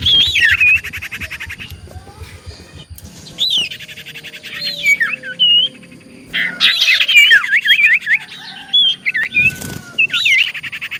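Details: Common iora singing as a lure to get other ioras to reply: bursts of looping whistles and buzzy trills separated by quiet gaps, busiest in the second half.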